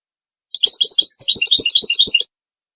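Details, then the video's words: Training song of a European goldfinch, one continuous phrase of about one and a half seconds of rapid, jangling high twitters and trills, with faint low clicks underneath. "How to teach the pure song of goldfinches and songbirds"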